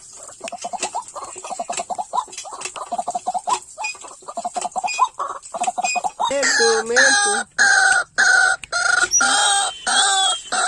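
A white-breasted waterhen gives a fast run of short clucking notes, then louder, harsh, croaking calls with a hoarse, nasal ring.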